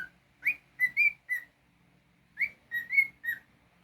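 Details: A pet cockatiel gives two matching phrases of four short whistles each. The first note swoops upward and the rest stay level and clear, with a pause of about a second between phrases.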